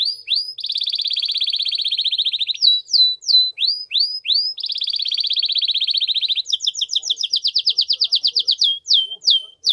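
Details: Canary singing powerfully to stimulate a female to mate, alternating long rapid buzzy trills with groups of clear swooping slurred whistles, continuous with no pauses.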